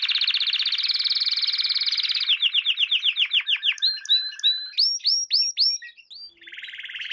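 A canary sings a fast, high rolling trill, then quick swooping notes repeated about four a second, loud looping whistles, and a closing buzzy trill.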